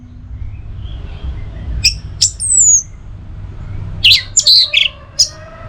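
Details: Orange-headed thrush (anis merah) used as a trigger and tutor recording for its drawn-out teler song: scattered sharp high chips and a sliding whistle, then a cluster of buzzy high notes, over a low steady hum.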